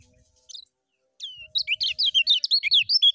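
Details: Lemon-bellied white-eye, 'ngejos' style song: a short high note, a long down-slurred whistle, then a fast, loud chain of rising-and-falling twittered notes with a faint steady hum behind.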